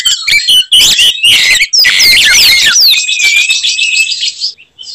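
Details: Oriental magpie-robin delivering a provocative fighting song that stirs up rival birds: rapid chattering notes give way to a series of clear, sweeping whistled slurs, then a sustained high buzzy trill that fades at the end.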